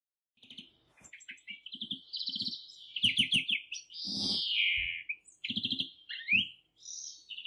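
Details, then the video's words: Greenfinch in song: varied twittering trills, a long sweeping wheezy note, sharp rising chirps and further high trilled phrases. "Как поёт зеленушка. Голос и пение."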